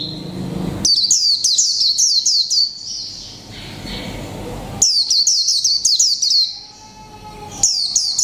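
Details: Mộc tinh white-eye in a cage for one month, singing líu pha chòe trống: two energetic bursts of fast, evenly paced, high sliding chirps, then a softer lull before a final short phrase.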